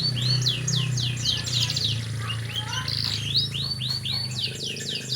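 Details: Canary singing a rapid, continuous song of repeated upswept and downswept high syllables in fast series, with brief twittered phrases in between, over a steady low hum.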